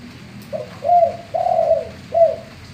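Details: Spotted dove male, voice of the heavy gembur/bongor type, in full manggung song used to prompt other doves to sing: four soft coos, the third long and drawn out, falling at the end, over low hum.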